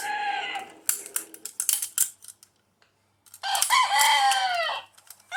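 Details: A Chicken (Gallus gallus domesticus) rooster gives one long, hoarse crow of about two seconds that rises, then falls away, after scattered clucks and sharp clattering noises.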